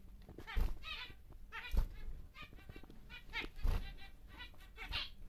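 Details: Big captive male zebra finch of the normal grey colour, kept for breeding: strings of short nasal buzzing notes in several bursts, louder near the start and end, over a low background hum and knocks.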